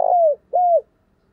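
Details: Spotted dove 'giọng thổ' calling coo used for training new birds: two smooth, level, whistled coos, each gliding downward at the end, with a short gap between them.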